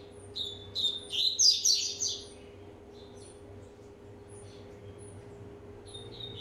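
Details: Rusty-collared seedeater, one and a half years old, warming up with a single burst of bright, high, slurred whistles lasting about two seconds, then near quiet with faint distant chirps and a steady low hum.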